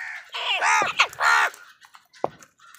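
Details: Crows calling while wild birds fight with them for food: harsh, rasping caws in a quick burst of three or four, followed by a sharp short note and quieter bird calls.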